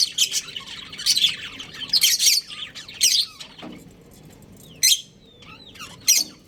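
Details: A budgie breeding pair gives loud squeaky chirps and chatter at first, then falls quieter with thin whistled slurs and two sharp isolated chirps.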